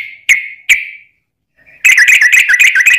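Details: Sooty-headed bulbul long 'ropel' song from a fighting lure meant to provoke other bulbuls; two clear whistled notes, a short gap, then a rapid, dense burst of bubbling whistles.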